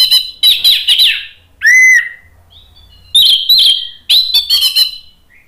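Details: Orange-headed thrush singing, played to provoke a bird into replying with continuous 'gacor ngeplong' song: dense, high chattering and warbled phrases broken by one clear downslurred whistle, in four loud bursts with short pauses.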